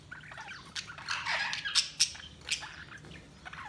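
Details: Budgerigars chirping: scattered harsh squawks and short chirps in bursts, with sharp clicks between calls and quieter gaps.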